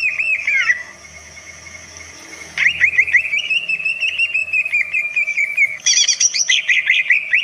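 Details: Greater green leafbird (cucak ijo) pours out a fast, varied string of bright chirps and whistles, mimicking other birds and able to provoke other birds, with a steady high hiss behind.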